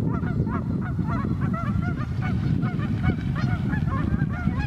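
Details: Many geese honking on a very cold morning on North Idaho's Pend Oreille River: a continuous stream of nasal, up-and-down honks, voices overlapping, above a dense low rumble.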